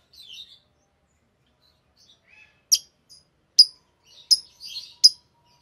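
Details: A green Fischer's lovebird pair gives quiet, sharp, clipped tick-like chirps at uneven intervals, mixed with soft, thin twittering notes.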